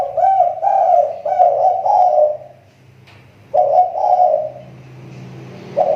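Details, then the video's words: Spotted dove kept as a lure bird, its voice recovering after a recent decline: a run of low, rolling coos in a steady phrase, a short pause, then more coos, over a faint low hum. "SUARA TEKUKUR PIKAT SI TAKUR,SUDAH MULAI MEMBAIK"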